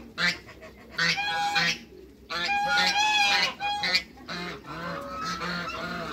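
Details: Six African and Toulouse geese, meeting new geese, honk loudly and nasally in quick overlapping runs, with stacked bright tones and brief pauses between the bursts.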